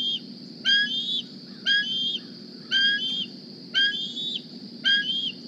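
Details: Young bald eagle hatched in 2020, back at the Decorah nest on a morning, squeeing for a meal: five thin, high whistled squees, each sliding upward then dropping, about one a second over low rumbling background.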